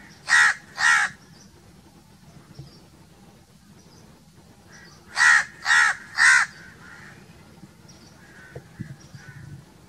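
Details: Crow giving two harsh, buzzy caws in a quick pair, then a pause of several seconds and three more caws at a steady half-second rhythm, with faint distant calls in the background.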